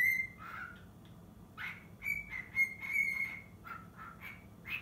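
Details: Pet cockatiel, half a year old, practising Totoro. A high whistle at the start, then a gap, followed by sustained bright whistled notes and a few lower dipping ones, ending on a short high note.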